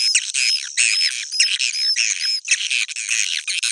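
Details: Suara inap, the edible-nest swiftlet roosting call that attracts swiftlets: quick harsh chirps and buzzy notes with repeated short upward-sliding whistles, a busy overlapping chatter.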